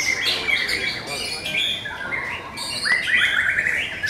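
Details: White-rumped shama song during a singing competition, fourth session: clear, rich whistled phrases sliding up and down, broken by quick chattering trills, while other birds sing more faintly behind.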